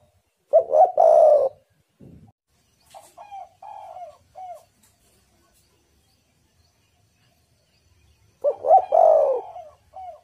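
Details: Spotted dove lure call for provoking wild doves: a low cooing phrase of a double hoot and a long coo, then softer clipped coos and a long pause before another full phrase. Faint thin whistles in the background.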